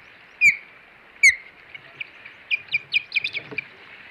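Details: Ospreys at the Hog Island nest on 21 April 2020, females fighting with the male in the middle: two loud piercing whistled cries, then a rapid run of softer, high chirps, over a steady hiss.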